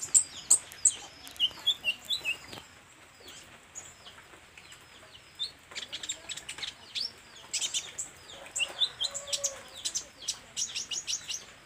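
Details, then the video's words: Olive-backed sunbird singing vigorously through a varied repertoire: dense runs of sharp, high-pitched chips and short sweeping notes, a pause in the middle, then another rapid burst of thin twittering. "SUARA BURUNG KOLIBRI NINJA GACOR , BELAJAR BONGKAR ISIAN"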